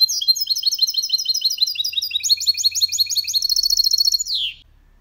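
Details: Goldfinch × canary hybrid in full clean song, played to make males sing and teach young birds. A loud, rapid, continuous chattering trill of high twittering notes, changing pace midway, ends in a falling slurred note.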